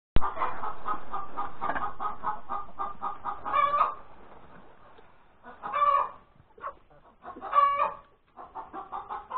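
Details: Hen cackling after laying an egg at breakfast time on Sunday, January 31, 2021: a dense run of quick clucks broken by three loud, drawn-out squawks, each followed by short pauses.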